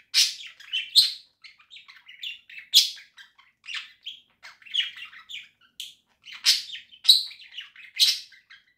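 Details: Indoor pet budgerigar flock singing in October 2024: a continuous, lively chatter of high chirps, squeaks and buzzy trills, loud accents every second or so, without pause.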